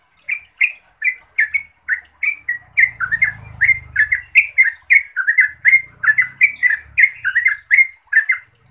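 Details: Yellow-vented bulbul (trucukan) calling out to a rival or companion, meant as therapy for birds that have stopped singing. Steady stream of loud, liquid chirps, rising and falling, with a low rumble partway through.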